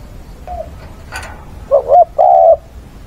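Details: Spotted dove decoy calling mates with fighting song, 6 September weekend; a faint early note and a click, then two loud coos near the end, the second longer and level, with low background hiss.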